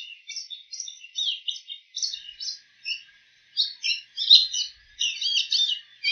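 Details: A bull-headed shrike delivering borrowed calls of other birds: quick, irregular series of sharp chirps and chattering notes, about 85 a minute, loud and varied.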